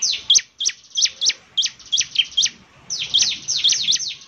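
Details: Energetic Bar-winged prinia song: sharp, high descending chirps in uneven bursts, some notes starting with a short flat whistle before dropping, and a brief gap midway.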